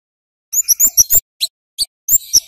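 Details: Flowerpecker chirping sharply as a lure for young birds: a quick run of thin, very high, slurred tsit notes, two single ticks, then another brief cluster.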